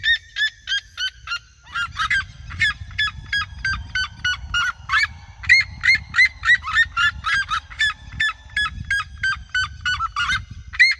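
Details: Flock of red-legged seriemas in open fields, singing all around the recordist: loud, harsh yelping notes with strong harmonics, delivered in rapid overlapping series of about three per second, with a low rumble of wind or handling noise beneath.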